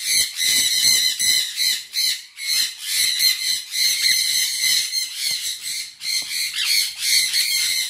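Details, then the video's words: Sun conure squawking rapidly and continuously, harsh raspy calls repeated nearly three times per second with brief pauses, loud and shrill throughout. "sun conure bird"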